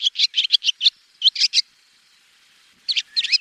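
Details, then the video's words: A swallow's rapid twittering: quick, high, scratchy chirped notes in bursts, a short pause, then more chattering with a rising warble. "SWALLOW BIRD Sound"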